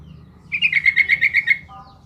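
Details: Sooty-headed bulbul in vigorous song, played to provoke beginner bulbuls into replying: one bubbly phrase of about nine quick, evenly spaced liquid notes, slightly falling, followed by a faint low whistle.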